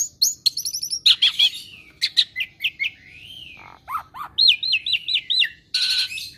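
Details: Pet Asian pied starling, a clever mimic of other birds, giving clicks, a rising and falling whistle, low hooked notes, a series of five looping whistled notes and a final harsh burst.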